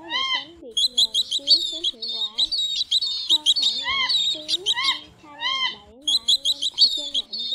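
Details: A 2024 lure recording for night net trapping in migration season: pheasant-tailed jacana male, female and chicks give repeated cat-like, arched mewing calls, overlaid by fast bursts of high, ticking chirps from several callers.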